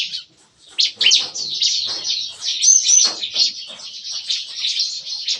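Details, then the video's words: Morning song of captive bar-winged prinias in an aviary cage, in the lively nembak-nembak style likened to shooting: after a brief gap, dense overlapping high chirps and trills run continuously. "Nembak-nembak! Kicauan CiKris Pagi Hari"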